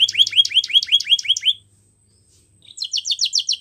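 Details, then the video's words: Canary song for training young canaries: a steady rolling phrase of about nine repeated two-part notes, a second of silence, then a quicker trill of bright downslurred notes. "Bird Sounds | Bird Song | Canary Singing"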